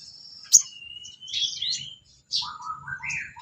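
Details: Sooty-headed bulbul song as training material for songbirds: a sharp high note, a long thin whistle sliding down, some buzzy phrases, then quick descending warbled notes.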